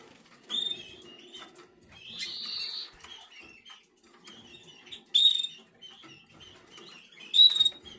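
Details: Eleven-day-old canary chick, black red mosaic jaspe SD. It gives repeated thin whistled calls, one long hoarse note and sharp bright peeps every two seconds or so, amid soft scratchy rustling.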